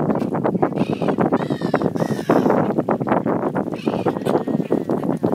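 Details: A crowded flock of brown-headed gulls in breeding plumage at Bang Pu, Thailand, on 12 April 2012 gives overlapping harsh, nasal squawks, some drawn out and slightly rising, over a steady background murmur.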